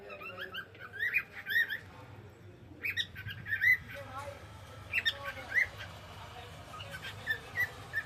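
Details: Pet cockatiel singing in the evening: bright whistled notes and short chirps in bursts, with quiet gaps between phrases, over a low room hum and faint voices.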